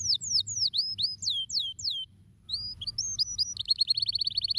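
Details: Canary song opening with a series of steep downward-sweeping whistles, a brief pause, then short rising notes leading into a fast, even trill, over faint low hum.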